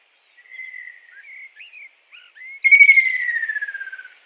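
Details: Soft wavering whistles and brief upslurred notes build toward a loud, quickly pulsed trill that slides downward, given by a kingfisher in the wild.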